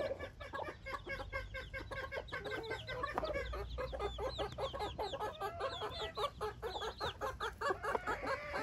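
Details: Dense chorus of peeping from newborn Silkie chicks out for the first time with their hens, many short high cheeps overlapping continuously, plus low background noise.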